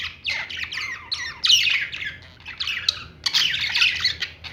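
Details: Lovebirds chirping in a pet store: dense, overlapping harsh squawks and scratchy chirps from several birds pour out almost without pause, with louder bursts near the start, middle and end over a faint low indoor hum.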